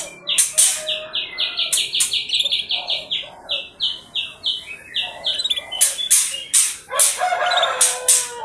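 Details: Canary song played as a lure: a steady run of short, clipped high notes repeated about two or three per second, interrupted by loud sharp bursts, ending in a scratchy jumble.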